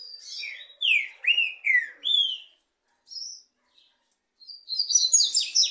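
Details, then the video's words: Two green-winged saltators in a singing contest: rich, downslurred whistled phrases of about four notes in quick succession, then a harsh, scratchy burst of chatter near the end. "DISPUTA DE 2 TRINCA FERRO CANTO E MACHIADO ESQUENTA ATÉ CHEBA"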